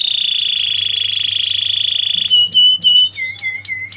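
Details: Canary sustaining a long, even, high rolling trill for about two seconds, then switching to separate clear whistled notes and short down-slurred calls; faint hum underneath.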